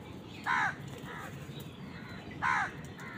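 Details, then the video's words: Crows contesting food with wild birds: two loud, harsh caws about two seconds apart, each followed by a fainter answering caw, over low background rumble. "Crow bird crowing sound | Crows fight with wild birds for food"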